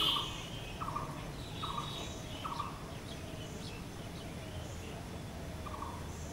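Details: Four quick evenly spaced mid-pitched notes of a blue-throated barbet, called bosonto bouri locally, then a pause and one more note, amid scattered thin high chirps of other birds.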